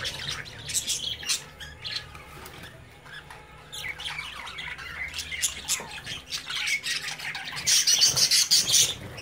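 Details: Budgerigar chicks playing in a cage while the parents watch; rapid scratchy squawks and clicks, sparse at first, then building into a dense, loud chattering burst near the end.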